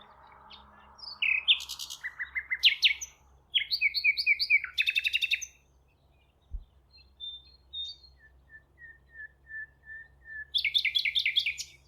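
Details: A Common Nightingale sings rich, varied phrases at Thurrock Thameside Nature Park: hard chirps, fast rattling trills, then a slow run of six pure piping whistles before a final burst of rattles.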